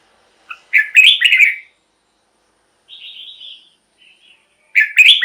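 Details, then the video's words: Red-whiskered bulbul song meant to rouse caged birds or draw wild ones: two loud bubbly warbled phrases separated by a softer thin whistle and near silence. "เสียงนกกรงหัวจุก สำหรับต่อ หรือ เปิดให้นกคึก เสียงเพราะๆ"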